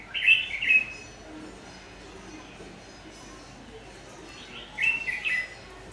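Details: ['During decoy trapping on 22 August 2019, a fierce-voiced Má lỡ red-whiskered bulbul gives a loud, bright warbled phrase, falls silent for several seconds, then repeats a similar chattering phrase over quiet hiss.']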